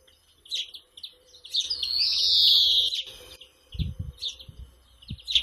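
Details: European greenfinch (Carduelis chloris) singing: short bright chirping notes, then a long, loud, buzzy drawn-out wheeze of about one and a half seconds, followed by more chirps; a few low thumps near the end.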